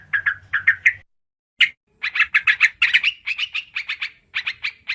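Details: Lure recording of yellow-vented bulbul (trucukan karuang): a few scratchy chirps, a half-second silence, then a fast run of loud, buzzy chattering notes that becomes steadier toward the end.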